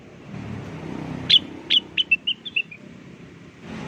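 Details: Blue-winged leafbird song used as a lure for wild birds: a brief string of six or seven crisp whistled notes, slightly falling and quickening, over a soft low background rumble.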